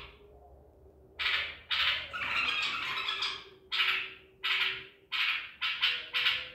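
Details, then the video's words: Baghdadi-type white-eared bulbul, wild-caught at Medical City, recorded 14 April 2021, delivering a run of loud harsh notes, later repeated as quick sharp bursts, over steady low background noise and hum. "تغريد بلبل طور بغدادي"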